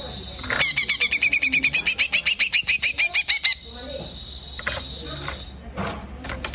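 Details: Greater green leafbird singing after its moult: a rapid, even string of about twenty sharp, high chipping notes over three seconds. A steady high tone and scattered clicks follow.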